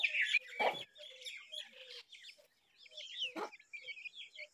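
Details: A young Brahminy starling, said to be protecting an egg, gives a jumble of chattering, squeaky notes mixed with short whistles, a couple of harsh rasping bursts and soft low clucks beneath.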